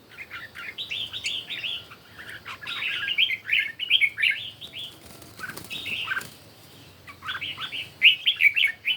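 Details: Red-whiskered bulbul singing in a morning competition, clusters of quick fluty, chattering phrases arriving in separate bursts, with a quieter gap before a final loud flurry.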